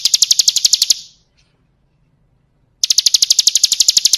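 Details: Bar-winged prinia, recorded as a song-training tutor: a rapid, evenly spaced high trill for one second, then nearly two seconds of silence, then the same quick sharp trill resuming.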